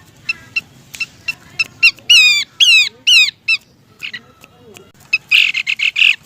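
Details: Abbott's babbler female calling the male as a lure sound: scattered sharp chips, then a cluster of loud descending slurred whistles, a quieter pause, and a final burst of harsh, rapid raspy chatter.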